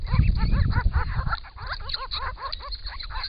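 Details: Wild Grey-crowned Babblers bathe at a pond in regional Victoria, Australia, during the hot January-to-March weather, calling to each other before a camera trap. Rapid, overlapping, arched, mewing notes pour out continuously, with low splashing early on.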